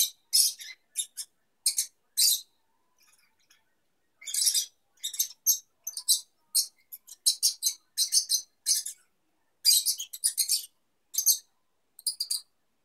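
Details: Young lovebirds mating, the female with wings fully extended; bursts of shrill, scratchy chirps and squeaky chatter come in quick clusters with short pauses throughout.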